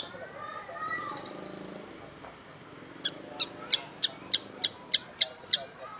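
A Long-tailed Shrike gives soft warbled notes, then a run of about ten sharp, dry ticks, roughly three per second. A faint voice-like murmur is heard at the start.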